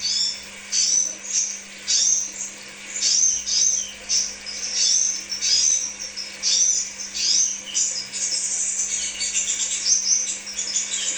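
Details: Crimson sunbird song played as a lure for kept birds: a busy run of high squeaky chips and slurred notes in quick, uneven bursts, nearly continuous over the clip, with a low steady hum underneath.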